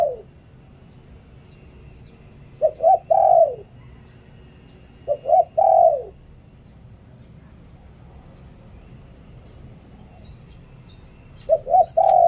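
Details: Dove singing lui-tan style as a decoy: repeated three-note phrases, two brief hoots and a longer falling coo, spaced a few seconds apart over low steady background noise.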